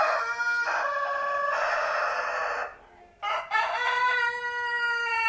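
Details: Seven-month-old Indonesian native village chicken crowing twice: a long, loud, richly harmonic crow of over two seconds, a brief near-silent gap, then a second sustained crow running to the end.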